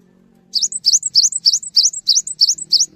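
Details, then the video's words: Cinereous tit singing to trigger song in other tits: eight quick repeated two-part figures, each a rising swoop followed by a higher short note, evenly paced, with a faint low drone behind. "GELATIK BATU GACOR | Bikin Gelatik Lain Cepat Terangsang Untuk Ikutan Bunyi"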